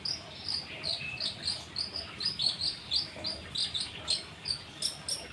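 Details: Long-tailed shrike (cendet) answering a lure: quick, high, twittering chirps in regular pulses, each a short burst of sharp notes, with faint background hiss.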